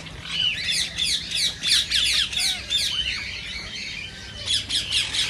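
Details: Rose-ringed parakeet calling to stimulate other parakeets to sing and mate; fast series of piercing screeches, roughly three to four per second, pausing briefly before a final burst.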